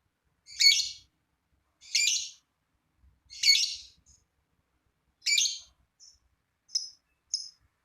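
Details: Lovebird giving a long trilling song meant to prompt other lovebirds to sing: high, harsh chattering bursts about every 1.4 seconds, followed by a few shorter, thinner chirps.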